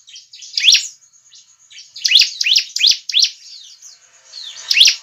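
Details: Bar-winged prinia recorded as a trapping lure. Loud, thin, steeply sweeping chirps come singly and in a run of five, with faint high chatter in between.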